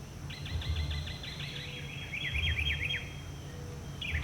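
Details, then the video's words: Northern mockingbird singing a long, varied repertoire. A rapid series of repeated whistled notes changes into a run of quick zigzag chirps, all over a steady low rumble of background noise. "Extended Northern Mockingbird footage (100 different songs?!?!?!)"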